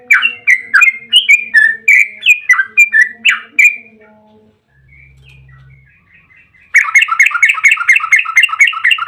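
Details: Yellow-vented bulbul song as a lure: four seconds of loud, bouncing whistled notes, a quiet gap with low hum, then a dense, fast rolling trill (ropel panjang) bursting in near the end.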